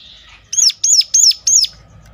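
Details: Sunda warbler (ciblek gunung) giving a sharp call meant to lure other birds of its kind into singing: four quick, high, arched notes about a third of a second apart after a faint lead-in, with a quiet background.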